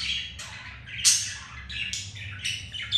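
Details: Budgies mating at home after one female rejected the male; rapid raspy warbling and squawks in quick overlapping bursts.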